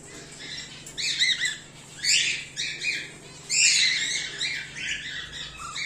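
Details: Harsh, grating squawks from home-bred cockatiels (whiteface emerald, emerald and an exhibition grey male), several bursts in quick succession, loudest near the middle, over a constant low electrical hum.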